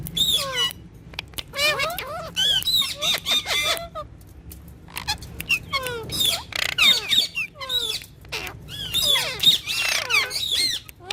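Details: Green ringneck talking parrot producing bursts of harsh, speech-like squawks and high clipped notes, grouped in phrases separated by brief pauses, across roughly eleven seconds.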